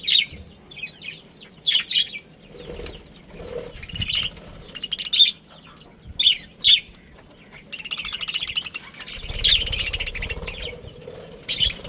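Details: Family of budgerigars chirping: bursts of bright, scratchy high chirps and chatter come in clusters every second or two, separated by brief quieter gaps, with soft rustling and wing flutters underneath.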